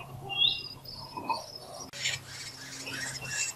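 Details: Willie wagtail chicks about 12 days old, during breeding on 24 October 2020, beg actively for food with high, scratchy, rapid overlapping squeaks, busiest in the second half, over a steady low electrical hum.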